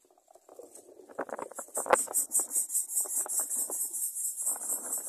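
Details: Baby greater coucal at feeding time, rustling and scuffling at first, then a rapid run of shrill, high-pitched squeaky pulses repeating steadily to the end.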